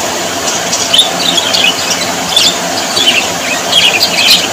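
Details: Budgerigars, described as happy Australian parrots, warble softly. Scattered squeaky, wavering chirps come in small clusters over continuous background hiss.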